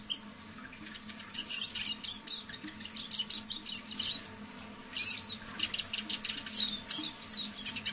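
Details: Evening half-voice song of a caged decoy Eurasian siskin, kept low and soft: thin high twitters and rapid chirping runs, with brief thin whistled slides near the end, over a low background hum.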